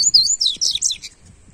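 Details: Short, loud phrase from a double-collared seedeater used to warm up a papa-capim: bright high whistles quickly turning into a dense, buzzy twitter lasting about one second.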